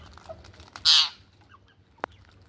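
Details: Ringneck parrot giving one loud, harsh screech of about a quarter second, then a short sharp click, over faint scattered chirps and a low steady hum.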